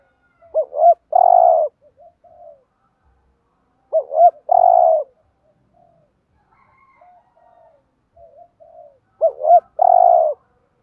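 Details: Spotted dove decoy bird doing thúc gù cooing meant to stir rival males. It gives three loud phrases about four seconds apart, each two short notes then a long, low coo, with soft coos between.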